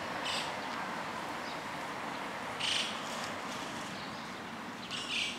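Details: Three brief, harsh, scratchy White-cheeked starling (Spodiopsar cineraceus) calls about two seconds apart over steady outdoor hiss, starlings foraging for food in a Japanese park, 2 June 2020.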